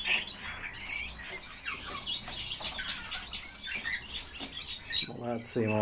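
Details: Pet common starling singing live indoors: rapid chirps and squeaky chatter, ending with a man's voice speaking over the bird.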